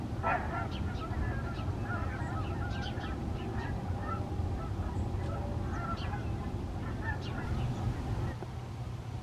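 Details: Canada geese flying in formation, giving a steady stream of nasal honks that overlap through most of the recording over a constant low rumble of wind or distant engine noise.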